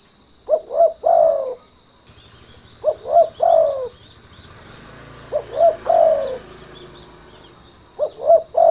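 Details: Spotted dove (derkuku) lure call, used to provoke untrained doves into singing: three-note cooing phrases, two short rising coos then a longer falling one, repeated about every 2.5 seconds over a steady high electronic whine.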